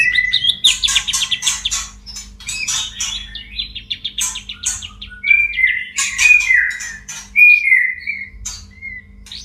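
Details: White-rumped shama in breeding condition singing from a cage: a busy run of quick chattering and clicking notes, then several clear bending whistles spaced about a second apart; faint hum beneath.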